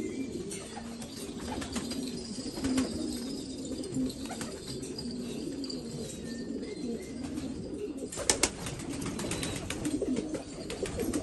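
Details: Black pigeons from Afghanistan give a steady low cooing murmur with occasional clearer coo notes, faint chirps, and a burst of sharp clicks and knocks near the end.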